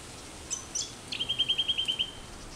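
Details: A rufous whistler sings in a park in Perth, Western Australia: two thin high notes, then a fast run of about ten ringing, even-pitched whistles over one second, against faint hiss.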